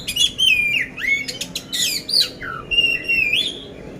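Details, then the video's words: Caged oriental magpie-robin from Magelang, Central Java, Indonesia, a competition-ready bird singing constantly with a coarse-fill song: loud whistled phrases, some slurred downward, others rising, mixed with sharp chattering notes. "poci gacor isian kasar"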